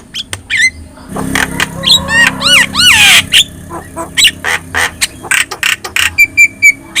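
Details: Yellow-eyed Javan myna chattering actively as a tutor recording: fast harsh squawks and slurred wheezy notes merge into a noisy burst, followed by quick repeated ticking clicks and thin whistles.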